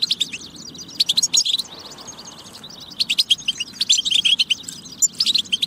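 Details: A European goldfinch song, used as a prompt for other goldfinches to sing, pours out in quick, high chirps and twitters, dropping away briefly after the first second before resuming.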